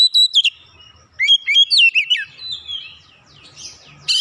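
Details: Kept oriental magpie-robin singing briskly after being stirred up: sharp whistled notes, fast slurred trills and scratchy sweeps in quick bursts, a brief lull, then a loud buzzy burst at the end.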